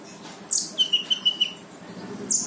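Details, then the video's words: Konin, the brown-throated sunbird, in gacor full tembakan song to coax a silent bird: a loud high burst, a run of five clear whistled notes on one pitch, then another burst. "KONIN GACOR FULL TEMBAKAN || UNTUK MANCING KONIN MALES BUNYI LANGSUNG IKUT BUNYI"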